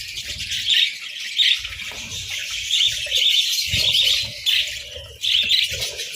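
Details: At breakfast over boiled eggs and bread, a group of budgies chatters in high, rippling chirps, with short bursts of louder twitter and occasional soft knocks from feeding.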